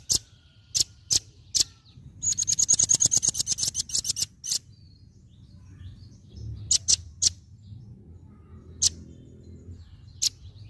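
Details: Several sharp, high single chips from a velvet-fronted nuthatch, then a two-second burst of fast, piercing ticking notes, followed by more scattered lone chips against a quiet low rumble.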